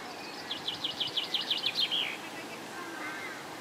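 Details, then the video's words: Egyptian goose goslings give a rapid run of high, thin peeping notes, about three per second, with a fainter chirp afterward over a steady background hiss. "Egyptian Goose Goslings"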